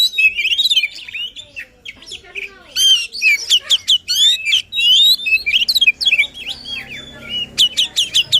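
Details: White-rumped shama in energetic song aimed at stimulating a lazy shama: quick varied phrases of whistles, harsh chatters and sharp chips, rapidly alternating with brief silences, a faint low hum beneath.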